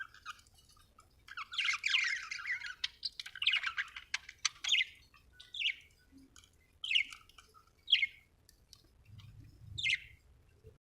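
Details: Budgie chirping: busy scratchy warbling chatter for the first five seconds, then separate short rising squawks roughly once a second; faint low rumble near the end.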